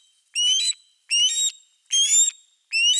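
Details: Close osprey calls from nest 3 on 4 August 2024, where two birds share a fish: four strong, rising whistled notes, each slightly broken in two, spaced under a second apart.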